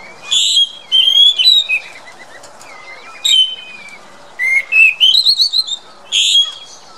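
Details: Chestnut-backed thrush (Zoothera dohertyi) giving clear, high whistled phrases mixed with quick warbled notes, in about five bursts separated by short pauses over a quiet background.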